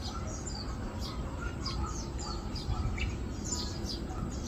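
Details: Yellow-vented Bulbul feeding, recorded 4 August 2022, gives quick, bright chirps and short downslurred notes in irregular bursts over a steady low rumble.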